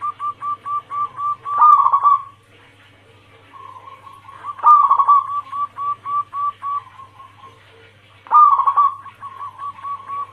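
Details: Calling female zebra dove (perkutut) summoning the male, a lure recording of local and Bangkok crossing cemani type: long strings of crisp, regular coos, each series climaxing in a loud trilled burst, three cycles in all, with a hum behind.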